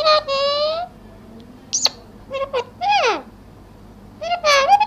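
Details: Talking parrot mimicking Urdu/Hindi speech: voice-like syllables with clear tonal harmonics, rising and falling, mixed with a sharp whistle-like squeak, in a quiet indoor setting.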